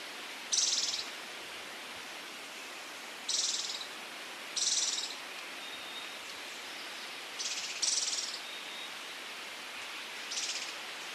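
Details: Scaled Antbird from Brazil giving six high, dry, rattled bursts, short and finely pulsed, at irregular gaps of one to three seconds. A faint thin whistle is heard between them over constant background hiss.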